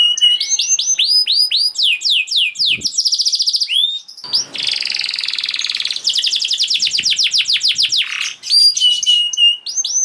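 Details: Canary song to make sluggish canaries sing, alternating rising whistled slurs with long buzzy trills and fast rolling phrases, changing pattern every couple of seconds.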